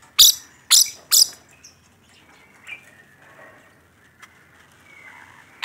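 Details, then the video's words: Rainbow lorikeet giving three loud, harsh, high bursts in quick succession, followed by near silence with faint squeaks and a final burst at the end. "Suara Burung Nuri Pelangi Gacor"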